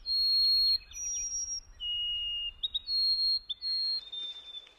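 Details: A White-throated Sparrow gives slow, clean whistles: a long opening note, a slightly higher one, a drop to a lower tone, then repeated shorter whistles with fluttering triplets, fading into soft rustly noise.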